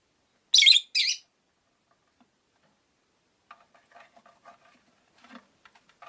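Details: Pet rosy-faced lovebirds, five in a cage near a window, give a quick pair of shrill buzzy chirps, then low soft chatter and clicking.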